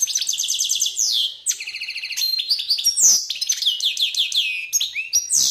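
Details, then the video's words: Wild-style song from a young captive male goldfinch that has fathered three hybrid chicks: a continuous, dense stream of high tinkling twitters, buzzy trills and sharp rising and falling notes, fast and varied throughout, with no other sounds. "jilguero cantando canto silvestre"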